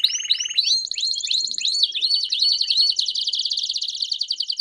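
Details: Canary in campainha song with chirps, meant to teach young canaries: swooping curved notes repeated quickly, then a tight, even, very fast high trill.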